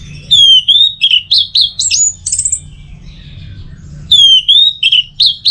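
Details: Orange-headed thrush song used as a tutor and lure for the teler singing style. Bright whistled phrases sweep down and then level off, followed by rapid chirpy notes. There is a quiet pause, then the whistled phrases return.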